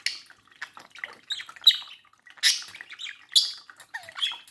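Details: Domestic budgerigar by a mirror giving rapid warbling chatter, a mix of buzzy squeaks, short whistles and a falling whistled note near the end, with bright clicking accents.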